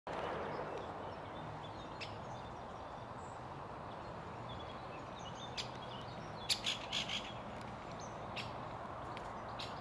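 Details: A great spotted woodpecker in the Ljubljana Botanical Garden on 19 April 2024 gives a few sharp, short 'kik' notes bunched near the end, over a steady background hiss.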